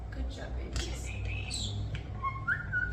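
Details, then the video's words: One of two captive, one-year-old European starlings, hand-raised after falling from the nest as babies, gives talking-style mimicry in June 2025: scratchy chatter and bent whistles, ending in a clear upward-sliding whistle, over a steady low rumble. "Starlings Talking, Sound Effects"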